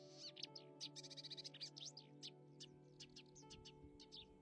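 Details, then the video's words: Clamorous reed warbler in a marsh, a song the male uses to mark territory and attract females. Loud, rapid chattering of sharp, squeaky notes and a brief fast trill, with a steady musical drone underneath. "Kerak basi dikenal memiliki suara nyaring, keras, dan berulang-ulang."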